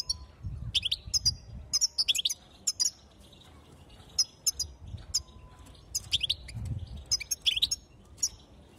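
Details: Female European goldfinch uttering excited high twitters and chirps, used to get males singing; notes come in quick clusters separated by brief pauses, with low background noise.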